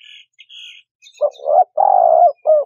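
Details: Spotted dove call for bird-trapping lure: faint higher chirps from another bird at first, then the dove's phrase of quick notes, a long hoarse coo and a short final note.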